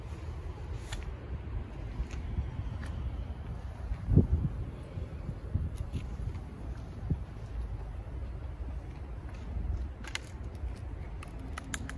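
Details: Low traffic rumble and outdoor city noise with a brief thump, and no clear animal calls.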